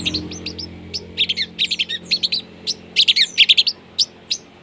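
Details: Long-tailed shrike (cendet) in full song with harsh 'rough material' phrases, used as a lure to get silent shrikes singing: quick, sharp, high chips in clusters, some rapid stuttering runs, with irregular gaps.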